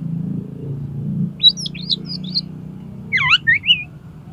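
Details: Oriental magpie-robin song recorded for training competition birds: two short bursts of twisting, warbled high whistles over a low rumbling background.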